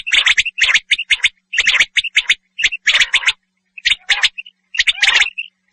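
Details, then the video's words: Common quail, said to be a male, giving quick bursts of sharp, clipped, high notes in short clusters about once a second, with brief silences between. "batair ki hawaz"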